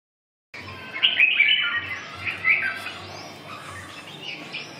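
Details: Red-whiskered bulbul at a bird exchange gathering giving quick, bubbly warbled phrases of bright chirps and liquid notes, with faint low thumps and background chatter.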